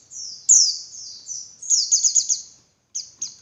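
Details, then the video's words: A female Javan white-eye gives calls meant to stir males to sing harder and come into breeding mood: thin high descending whistles, then a quick trilled burst of rapid notes, ending with two short chips. "Suara Burung Pleci Betina Buat Pancingan Pleci Jantan Biar Ngalas Lebih Ngotot"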